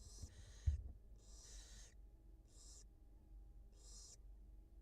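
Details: At a wild barn owl nest, the mother feeds her two newly hatched chicks; five breathy hiss bursts, some running together, with a single knock near the start.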